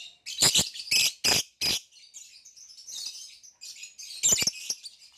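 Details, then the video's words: A caged green hybrid male lovebird with a Nyasa lovebird, giving four loud harsh squawky chirps in quick succession, then soft high twittering and a final pair of sharp notes. "Green Hybrid and Lilianae Nyasa Lovebird Singing & Chirping Sounds"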